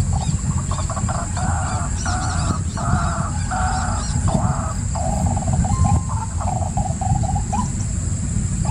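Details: White-breasted waterhen giving nasal, harmonic croaking notes in short bursts, then a run of rapid hooked notes. A steady low rumble and a constant high-pitched whine run underneath throughout.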